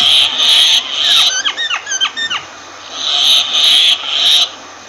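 A myna gives harsh, raspy screeches, breaks into a quick run of about eight sliding whistled notes, then returns to the grating screeches.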